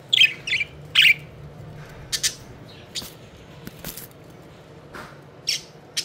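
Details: Budgies having fun and fluttering about; a busy opening of rapid high chirps, then scattered short tweets and clicks at irregular intervals over quiet room noise.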